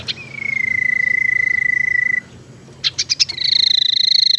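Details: Tailorbird lure recording used to attract birds and to prompt silent or reluctant tailorbirds to sing: a long, even, rapidly pulsed trill on one pitch, a few sharp buzzy notes, then a higher pulsed trill.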